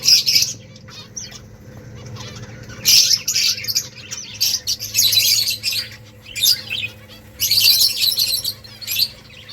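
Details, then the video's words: Rice-eating finches chatter in loud clusters of rapid, high, squeaky chirps, starting and stopping every second or two, above a constant low mechanical hum. "Beautiful finches eating rice 🍚 birds chirping sounds"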